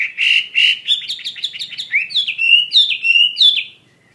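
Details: Wambi mandarin bird singing actively. It opens with two strong, slightly buzzy notes, then runs through a quick series of sharp chips and upward-sweeping whistles, about three per second, before stopping.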